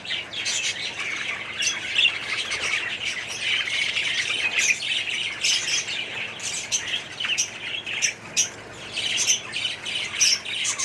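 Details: A colony of budgerigars, kept and bred as a group, chattering together: dense overlapping chirps, squawks and warbles, steady and unbroken, with sharp tweets breaking through every second or so.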